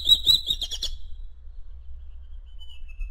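A Madagascar magpie-robin gives a quick run of bright, high whistled notes, then falls quiet before a faint, thin, falling whistle. A low background hum runs throughout.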